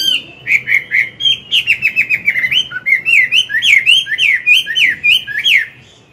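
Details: Morning forest-style song of an old wild-caught Chinese hwamei, kept caged and used to stimulate newly caught birds. A fast, varied run of clear, slurred whistles that rise and drop, about four per second, sustained for nearly six seconds.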